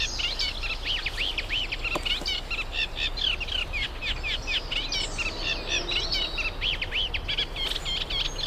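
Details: Eurasian reed warbler, a visitor from Africa to the UK, singing at a nature reserve while pairs form and nests are built; long, continuous chattering song of fast repeated scratchy notes, about four per second, over faint background noise.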